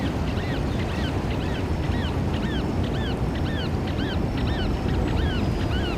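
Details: Eurasian oystercatcher repeating a shrill, ringing, down-slurred double note at a steady pace, about twice a second, throughout the clip, slightly distant, over a continuous low rumble.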